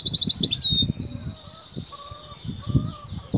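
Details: Female European goldfinch, aroused and calling to the male for mating, gives a short fast buzzy trill that slides down into a thin held tone, followed by faint twitters and soft knocking noises.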